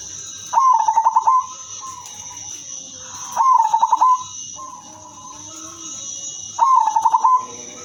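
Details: Female silver zebra dove with a melodious voice, kept as a lure for other zebra doves. Gives short rolling coos of rapid pulsed notes, each about a second long, repeated about every three seconds over a steady high whine.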